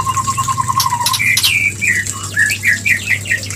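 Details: Mating call of a White-rumped shama, played to stimulate pairing: a rapid even series of short whistles, then louder rising and falling whistled phrases at a higher pitch, with a steady low hum behind.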